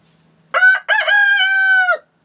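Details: Rooster crowing loud and clear: a short clipped opening note, a brief gap, then a long sustained, richly harmonic crow held for about a second before dropping off, with silence around it.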